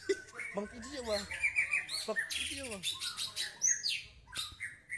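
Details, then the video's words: White-rumped shama delivering a varied, rich song: ringing rolled notes, rising and falling slurred phrases, a burst of dense high chatter midway, and clear whistles near the close. "Burung Murai Batu"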